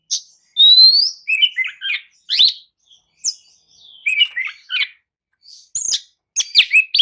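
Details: Kacer lure song meant to rouse a listless Oriental magpie-robin into replying: a long rising whistle opens, followed by scratchy chirps and sharp upward flicks in bursts separated by brief silences.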